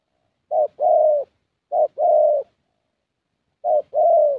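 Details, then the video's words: Young spotted dove of the 'thổ' voice type, filmed during a decoy session in Gia Lai, Vietnam: three low cooing phrases, each a short note followed by a longer, drawn-out coo, spaced about 1.5 seconds apart. "Thổ Tơ Âm Giọng Khá Tốt"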